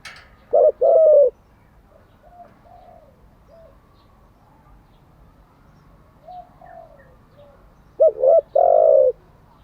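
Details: Spotted dove coos for training decoy birds: a double note and sustained coo at the start, soft distant answering coos in between, then a louder three-part phrase near the end.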